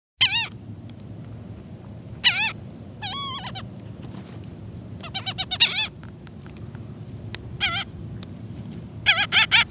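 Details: Gulls being fed in a Florida backyard, one screaming at the people and other birds: scattered loud harsh wailing calls in short bursts, some quick clusters, over a steady low rumbling background.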